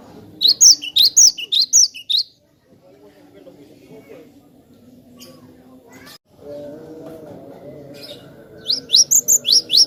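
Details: Cinereous tit (glatik batu) in loud, clear song used as a tutor recording for training other songbirds: bursts of high, sharp two-note phrases repeated rapidly, then a quiet stretch with a low hum before the phrases resume.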